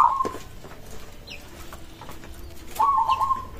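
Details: Local zebra dove song that other doves respond to: two bright, trilled coo phrases, one at the start and one near the end, separated by a quiet gap with faint background chirps.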